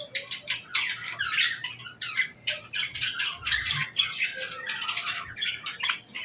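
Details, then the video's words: Baby budgerigars and lovebirds at feeding time: a dense, continuous chatter of scratchy, squeaky chirps from several birds, overlapping without pause indoors. "Love Birds & Budgies Feeding Time Sounds"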